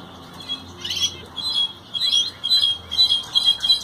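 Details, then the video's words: Ocellated thrasher singing a rapid string of short, buzzy and whistled phrases, each varied in pitch and tone, repeated about twice a second with barely a break. "Huitlacoche barranqueño cantando"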